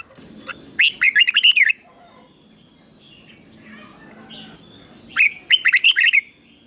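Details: Caged red-whiskered bulbul giving its 'double' song for teaching young birds: two phrases of rapid bright chirped notes, nearly four seconds apart, with faint softer bird calls between.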